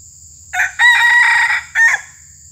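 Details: A male red junglefowl used as a lure crows: a short, abrupt phrase that breaks off quickly rather than trailing like a farm rooster's, over a steady high insect-like whine and low hum.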